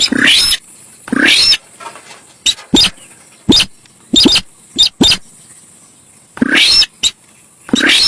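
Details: Javan pied starling, a lure recording: scratchy rising calls open and close, while the middle is crowded with quick sharp ticks and clipped notes, some paired, over a constant high hiss.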